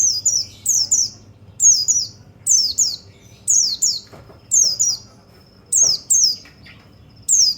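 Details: Rhythmic pairs of bright, steeply dropping notes from a white-eye (pleci), used to stimulate other birds, recur roughly every second over a quiet low background.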